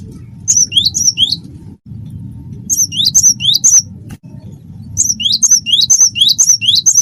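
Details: Gelatik batu (cinereous tit) of the wingko type, a gacor singer meant to prompt other birds to sing: three runs of clear two-note whistles, a high note then a rising lower one, repeated briskly, over a low background hum.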